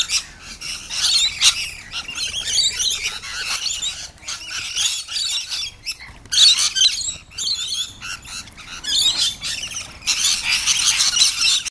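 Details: Several rainbow lorikeets making excitement at a caravan park in Herberton: bursts of shrill overlapping screeches and chattering squawks, fading briefly around the middle and then swelling again loudly toward the end.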